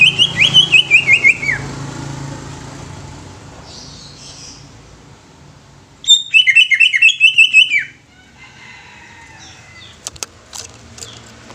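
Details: Greater green leafbird song in two bursts of rapid, sharp chattering notes, each a quick run of about eight repeated chips stepping slightly downward. Quiet pauses come between them, with faint clicks near the end.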